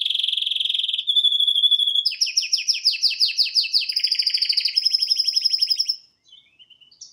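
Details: Male canary singing energetically while watching a screen: a steady buzzy trill, a short pure tone, then fast rolling trills with rapid repeated notes that stop abruptly, followed by a few soft high chirps.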